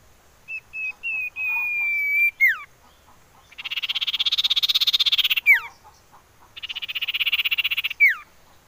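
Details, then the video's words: Common iora song used to coax birds into singing: steady whistled notes with a falling slur, then two long fast buzzy rattles, each ending in a steeply descending whistle. "Siulan Merdu Cipoh Sirtu"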